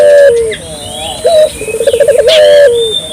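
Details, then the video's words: Ring-necked dove used to encourage local doves to call. A drawn-out falling coo, a brief rising note, then a fast rolling trill that swells into a long coo, with other birds chirping in the distance. "suara burung puter gacor,merangsang burung puter lokal ikut gacor"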